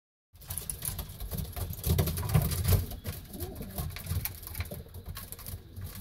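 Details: A racing pigeon in its loft gives low, soft cooing murmurs over steady scratchy rustling and patter, loudest around the middle of the clip.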